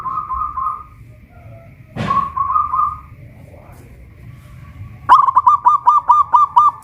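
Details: Local Pajajaran zebra dove, a caged bird from Kuningan, West Java, singing actively. Short cooing trills at first, then a loud, clipped series of about nine quick, even notes near the end. A sharp knock is heard in between.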